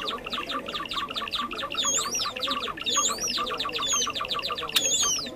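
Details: Lure recording of Java sparrows for trapping: rhythmic runs of clipped chip notes, plus several curving whistled phrases in the second half and a sharp click near the end.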